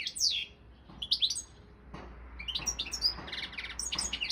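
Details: Balkan European goldfinch competing in a song contest, giving scattered high chirps and short sliding notes that build into a denser twittering run toward the end, over a quiet background.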